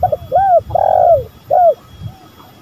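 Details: Close spotted dove phrase from a male and female lure recording: a double clipped note, an arched coo, a long buzzy coo trailing downward, and one more arched coo, with faint distant cooing after.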